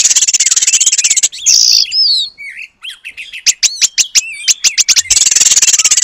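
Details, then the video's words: Oriental magpie-robin delivering long-tailed paradise bird material: opens with a fast buzzy rattle, then a harsh note, slurred whistles and a string of sharp ticking notes, closing with another rapid rattle. "Kacer Gacor Materi Burung Surga Ekor Panjang"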